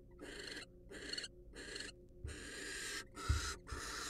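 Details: Wild barn owl at a monitored research nest box, free to come and go; breathy, broadband hissing bursts about half a second long, broken by short silences, with a few soft low thumps.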